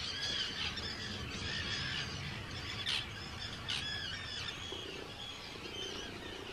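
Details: Large Arctic tern colony on Rottumerplaat in the Netherlands, 4 June 2023; harsh high calls from many birds, with a few loud, sharp nearby screams around the third and fourth seconds.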